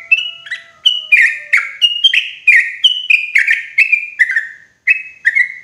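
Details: Loud, clear sooty-headed bulbul lure for trapping in the forest: a quick chain of bubbly chirps rising and falling slightly, with a faint steady tone beneath the first half.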